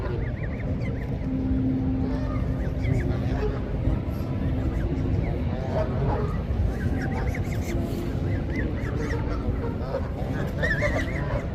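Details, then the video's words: Canada geese honking while swimming and feeding with goslings: irregular nasal honks scattered across the recording, a louder cluster near the end, over persistent low rumbling noise. "Canada Geese honking"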